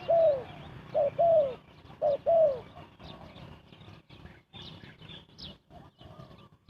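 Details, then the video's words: Spotted dove cooing at a bird trap: two short-then-long low coo pairs in the first two seconds, then the calls stop and only faint rustles, clicks and distant chirps remain. "Chim cu gáy gù tốc độ"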